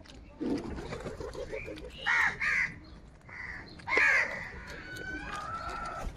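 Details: Morning crows squabbling over food give a pair of quick hoarse caws, then one stronger rasping caw, over a steady background hum and faint chatter.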